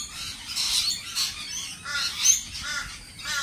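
Lorikeets chatter in harsh, screechy bursts, several overlapping squawks every half second or so, with no other sounds standing out.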